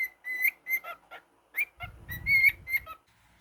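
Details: Male cockatiel kept as a pet whistles a quick phrase of steady, clear notes with rising tips, mixed with harsher chirps. Low rumbling handling noise runs in the second half.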